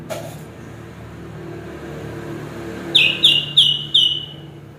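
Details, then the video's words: Chestnut-capped thrush (anis kembang) song: four sharp, bright whistled notes in quick, even succession near the end, after a stretch of low background rumble. "kicau burung Anis kembang"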